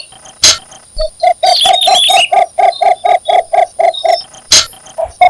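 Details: Cinnamon bittern seeking a mate: a regular string of short, deep, knocking notes roughly twice a second, with sharp clicks at the start and end and higher twittering from other birds early on.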